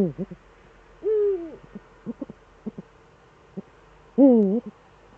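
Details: Both Eurasian eagle-owls back in the German Eifel, 18:47, 11 March 2013; a low arched drawn-out note, several soft taps, then a loud low call wavering up and down.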